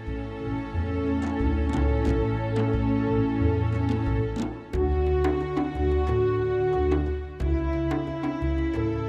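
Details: Gentle instrumental music with sustained tones and plucked notes, and no animal sounds.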